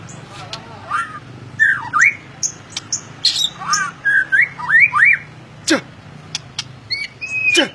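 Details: Ngeplong-style song from a white-rumped shama: clear upslurred and downslurred whistles in quick succession, with scattered sharp ticks and a couple of falling notes over a low background hum.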